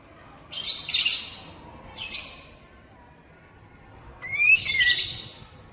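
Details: Oriental magpie-robin sounds played to stimulate untrained captive birds into singing. Harsh, scratchy bursts come in three groups, the last ending in a sharp rising whistle, over a faint background hum.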